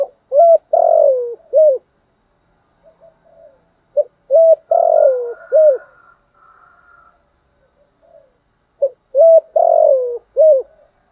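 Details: Spotted dove calls meant to lure wild doves and train a decoy bird: three repeated cooing phrases about four seconds apart, each with quick short coos, a drawn-out buzzy descending note and a final soft coo.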